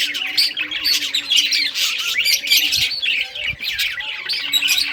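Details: Rare-coloured budgerigars at play with toys give a lively, unbroken warble of high chirps and squeaky notes, punctuated by a couple of soft knocks.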